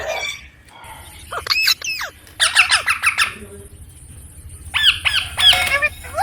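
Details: Indian ringneck parakeet, a pet baby bird, makes loud looping whistled and squawking calls in short clusters separated by quiet gaps.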